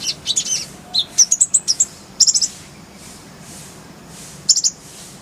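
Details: High, clear chirping phrases from a kolibri ninja sunbird in a full-fill tutor style. Rapid twittered notes cluster early, then a short rattled burst and a final quick chirp group follow pauses.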